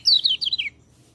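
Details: Short white-eye phrase meant to train birds that seldom sing: three or four quick, descending high whistled slurs run together in under a second, then quiet with a low hum.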